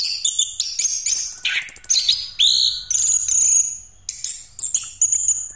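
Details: Rolling song of an Orange-headed thrush, Pastol type, used to lure other birds. Fast varied phrases mix high chatter, buzzy rattles and clear sustained whistles, with short pauses between bursts.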